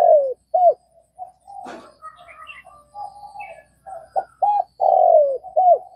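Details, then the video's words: A Vietnamese spotted dove coos in low hollow notes, a brief click in the middle, then soft purring phrases and a final run of loud, clipped coos, with light background chirping. "Tiếng cu gáy Việt"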